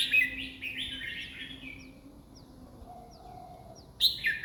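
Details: Red-whiskered bulbul, singing about twenty phrases per minute: a warbled, chirping phrase, then quiet with faint thin notes, before another sharp burst begins.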